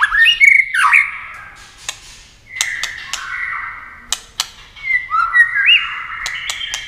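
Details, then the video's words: White-rumped shama singing competitively with wing flashes and tail flicks: twisting slurred whistles at the start and end, a softer steady warble between, and scattered sharp clicks. "chòe lửa hót đấu tốc độ.nhá cánh chơi đuôi liên tục"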